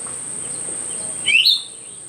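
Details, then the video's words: Myzomela recorded 25 December 2022 giving one brief, bright, rising note that slurs upward then drops, preceded by quiet faint high tones and a steady background whine. "myzomela behavior"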